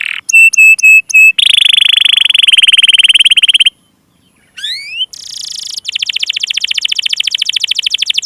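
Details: Canary song meant to coax young birds and stalled singers: four repeated ringing notes, a rolling buzzy trill, silence, a quick upward sweep, then a sustained rapid high rattle.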